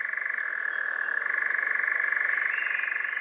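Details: European nightjar (Caprimulgus europaeus) churring song in Poland, a bird of large pine forests near clearings: a steady, mechanical, rapidly pulsed trill that runs without a break, shifting slightly in pitch now and then.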